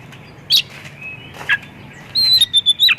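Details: White-rumped shama song used as a lure for other shamas: a few isolated chirps, then a quick run of high whistled notes repeated rapidly toward the end.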